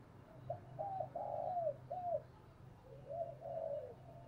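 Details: Spotted dove cooing, used as a decoy to train newly caught birds to sing: a soft series of low, hollow coos, a pause, then two more gentle coos, with a steady low hum behind.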